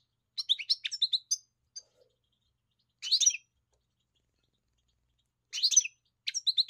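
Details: European goldfinch giving short twittering phrases of bright chirps and buzzy notes, with long silent gaps between the bursts.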